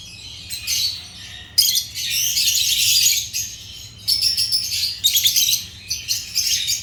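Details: Pet African lovebirds of the genus Agapornis chirping: long stretches of dense, shrill, scratchy chatter broken by brief silences, noisy high twittering throughout.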